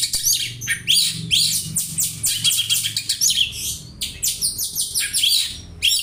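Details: Oriental magpie-robin imitating a house sparrow, used for tutoring: continuous dense high chirping and chattering notes in rapid bursts throughout.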